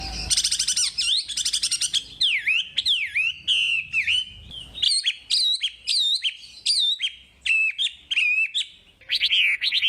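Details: Wambi singing actively, a recording used to stimulate lazy wambi birds to sing; rapid varied phrases of sharp swooping whistles, buzzy trills and chips, delivered in quick bursts with brief gaps.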